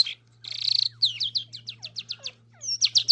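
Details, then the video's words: Singing Irani king jal: a harsh buzzy burst, then a quick series of about ten sharp descending whistled notes, ending with bright high chirps over a low constant hum. "irani king jal singing Bird"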